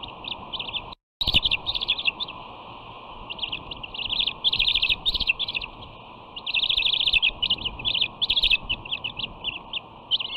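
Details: Bald eagle siblings on a West End nest, 13 June 2019, with a dominant sister nipping at her returning sister's wings. Loud, rapid, high chittering in dense bursts, with one brief dropout near the start.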